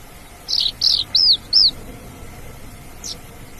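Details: In nature, an Australasian bush lark gives four high, arched, slurred whistles in quick succession, then falls mostly quiet apart from one faint note; a soft background hum continues.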